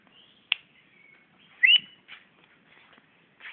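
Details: Magpie-robin in Brunei, 2013, singing at its own reflection in a mirror: sparse, clear whistled notes broken by pauses, with one loud, upward-sweeping whistle midway and a few softer chips.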